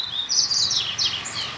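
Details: Wild, free-living double-collared seedeater singing in a neighbourhood: bright, high twittering phrases of quick slurred notes and short trills, loud and close, with a faint background hum.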